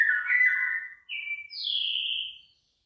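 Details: Bird singing by rice fields with ears of rice forming: a wavering whistled phrase, then two clear pure whistles, the last starting higher and gliding slightly down.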